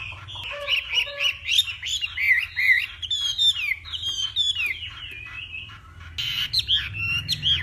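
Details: Northwestern Vietnamese hwamei singing in the morning, trained for contest singing: a loud, varied run of slurred whistles and rapid warbled phrases, shifting in pitch, with brief twittering bursts near the end and a low hum underneath.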